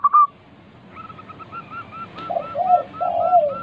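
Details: Local zebra dove in full song, used to coax other doves into singing: three low, warm, slightly falling coos near the end over a steady series of faint, evenly spaced higher notes.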